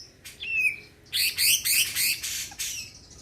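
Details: Greater green leafbird in loud, lively song meant to spur other birds into singing: a rising whistled note, then a burst of four bright, harsh chirps and a final rich phrase, all high-pitched.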